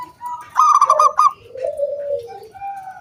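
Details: Zebra dove, local and wild, giving one loud 'kung bulat' song phrase used to lure other doves into singing: a run of fast staccato notes, a short note, then a long, smooth coo that slowly slides down.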